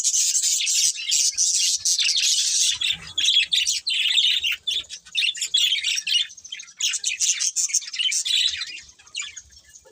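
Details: Budgerigars keep up a loud, dense chatter of rapid high chirps and scratchy warbles that fades toward the end.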